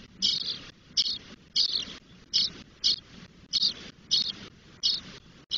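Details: Spotless starling chicks, ten days old and half-grown in the nest in Doñana, Spain, giving harsh, raspy hissing begging calls in regular bursts, about nine in five seconds, over low rumbling background.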